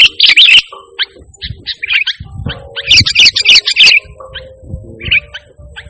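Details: Sooty-headed bulbul singing vigorously without imitated songs of other species, used as a calling and master sound for training pet birds: short bubbly chirped phrases in bursts separated by pauses, with a faint low steady hum.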